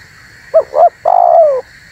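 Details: Spotted dove calling, a recording meant to lure wild doves and set off other doves: one phrase of two quick hollow coos, then a drawn-out coo that slides gently downward, over a faint hum.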